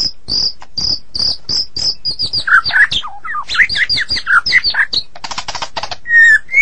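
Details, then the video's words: Medan White-rumped shama in active 'gacor' song: repeated high chips, then a tumbling jumble of whistles and scratchy notes, a rattling burst, and a long falling whistle. "Murai Batu Medan Super Gacor Durasi Panjang"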